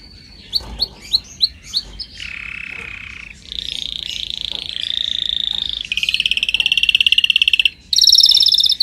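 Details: Canary song from a training recording: a series of sharp descending notes, then sustained buzzy rolls at varying pitch, ending in fast, very regular high trills in long unbroken runs.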